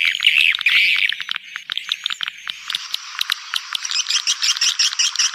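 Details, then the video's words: Swiftlet calling sound meant to draw swiftlets: a loud buzzy chirping burst, then a run of irregular rapid clicks and short chirps, roughly two or three a second. "Suara Burung Walet"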